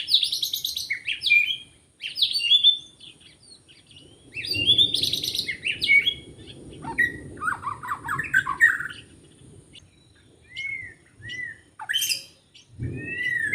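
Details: White-rumped shama singing in the forest during bird trapping, with varied, clear whistles and chattering phrases in repeated bursts, some pauses, and faint low background noise.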